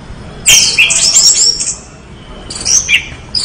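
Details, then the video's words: Orange-headed thrush song: a dense, loud burst of tumbling high whistles and buzzy notes, a pause, then a shorter, softer phrase. "anis merah gacor"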